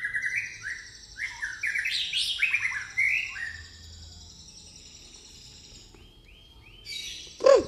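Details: White-rumped shama, pastol type, with a song filled with fighting-sparrow phrases: quick, whistled, stepping notes building into a dense chattering burst, then near silence with faint high notes and a sharp click at the end.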